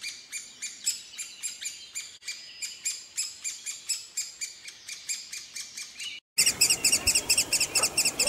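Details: Woodpecker chicks begging for food from their parents, repeating shrill buzzy rasps roughly twice a second. After a brief gap the calls return louder and faster, against a noisier background.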